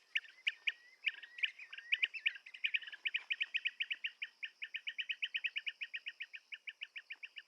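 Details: Blue-tailed bee-eater calling with rapid, clipped chirping notes, at first tangled and uneven, then settling into an even, quick string of repeated tweets over a constant high-pitched hum.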